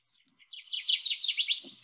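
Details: A male Kirtland's warbler, which sings from the top of a jack pine, gives its song: a short, loud, liquid, bubbly burst of about six rapid notes rising in emphasis, lasting just over a second, with a soft low thump near the end.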